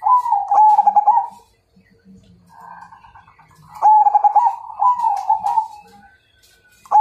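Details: Majapahit zebra dove song meant as a challenge to fight, a series of rapid, bubbling trilled coos lasting over a second each, with a softer murmuring phrase between louder bursts and light background knocks.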